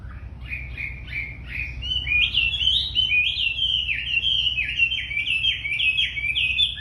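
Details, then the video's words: Very tame wambi in full, steady song: a long run of quick whistled notes, each sliding sharply up then dropping, strung together rapidly over low background hum. "Wambi Gacor Super Jinak"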